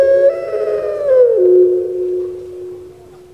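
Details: Caged puter pelung turtle dove from Java, Indonesia, giving one long, smooth, hollow coo that holds level, then slides down to a lower sustained tone and fades away.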